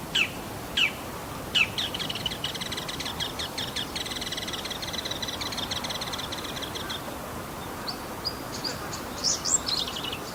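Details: Male Bull-headed shrike imitating other wild birds, possibly sparrow and greenfinch, on 28 March 2015: a few sharp chirps, then a long rapid buzzy trill lasting about five seconds, ending with thin high notes, over steady background noise.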